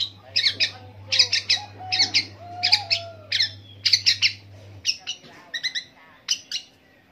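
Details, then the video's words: Long-tailed shrike in a long mimicking song copying various birds, delivered as clustered bursts of high, scratchy chirps in quick doublets and triplets, separated by brief pauses, over a faint low hum. "PENTET NGEROL PANJANG ANEKA BURUNG DI TIRUKAN"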